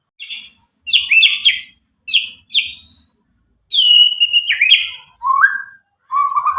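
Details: White-rumped shama from Medan, nine months old and newly out of juvenile speckling, gives spaced bursts of high chirping notes, then longer whistles and falling and rising slurs, separated by short silences.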